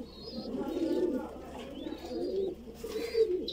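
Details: Voorburg Shield Cropper pigeon chick being fed indoors, giving low, husky, rhythmic murmuring sounds in swelling bursts, with faint high thin squeaks above.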